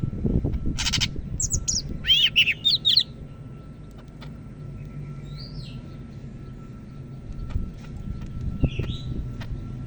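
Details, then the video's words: Cak Ijo Medan, a greater green leafbird from North Sumatra, gives a short burst of looping whistled notes and a rattle in the first three seconds, then only faint soft calls over low traffic-like rumble. "Burung Cak Ijo Medan Gacor"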